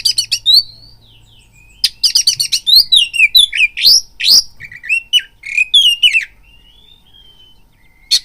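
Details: Oriental magpie-robin song used as a lure to provoke a caged bird into fighting mood: loud varied phrases of whistled slurs, rapid harsh buzzy notes and clicks, with pauses between bursts.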